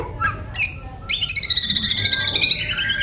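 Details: Oriental magpie-robin song: after a quiet start, a loud run of fast, buzzy, harmonic-rich notes pulses steadily on one pitch, then drops slightly near the end.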